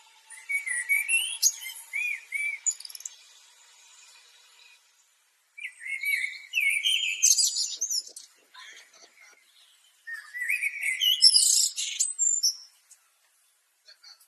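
Common blackbird singing three unhurried phrases, each a low, mellow fluted warble ending in a thin, squeaky high twitter, with pauses of a few seconds between.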